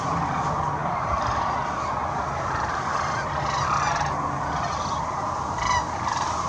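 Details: Large flock of sandhill cranes during March 2020 migration at Kearney, Nebraska: a dense, continuous chorus of overlapping rolling, trumpeting calls with no breaks, plus a faint low hum underneath.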